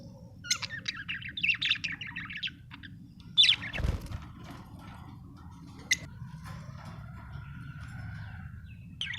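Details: Happy budgerigar from Australia giving a short burst of quick, high twittering chirps, then sparse squeaks and one drawn-out thin whistle near the end, over a constant low background hum.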